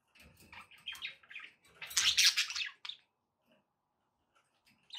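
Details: Pet budgies with background noise: three seconds of busy, high chirping and rasping warble peaking in a loud scratchy burst, then sudden near-silence with only a few soft ticks before a final chirp.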